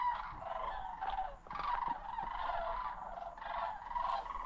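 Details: A large migrating flock of sandhill cranes passes overhead at the Osoyoos stopover in the South Okanagan, British Columbia, in autumn, giving overlapping rolling, trumpeting rattles in a constant chorus.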